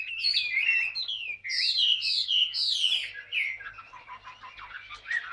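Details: Ngũ trường song from a green-plumaged, wild-caught Chinese hwamei caged for two years. Strong, varied whistled phrases swoop up and down in quick succession, then fade into quieter chattering notes.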